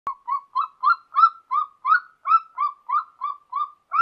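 Golden eagle giving a steady series of short, mid-pitched yelping notes, about three a second, swelling slightly then holding level; nothing else audible.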